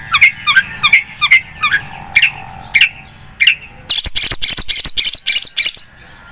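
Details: ['Long-tailed shrike: paced repeated bright notes for about four seconds, then an abrupt burst of loud harsh scratchy rasps in fast succession.']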